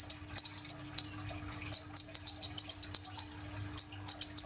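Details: Sunbird, known locally as kolibri ninja, singing energetically on a phone recording meant as a lure: bursts of thin, high, piercing chirps repeated rapidly, broken by a short pause mid-way, then resuming in a fast run.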